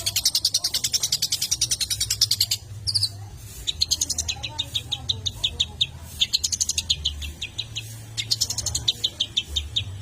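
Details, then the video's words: Long-tailed shrike singing, used to rouse other shrikes. It opens with a rapid string of high, sharp notes, then breaks into varied, irregular bursts of chirps and short trills, with faint murmuring and low hum behind. "PUTAR untuk naikan emosi CENDET"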